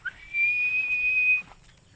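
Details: Philippine eagle holding one long, steady, high-pitched whistle for over a second after a quick upward flick, then silence.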